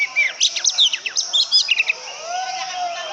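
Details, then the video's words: Rapid, busy run of short high chirps and twittering notes from an oriental magpie-robin, fading into a softer low sliding tone near the end. "burung kacer idaman"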